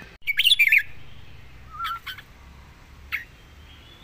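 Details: A caged young red-whiskered bulbul delivers a lively phrase of several sharp, rising and falling whistles. A low soft note and a single short chirp follow, with faint background hum.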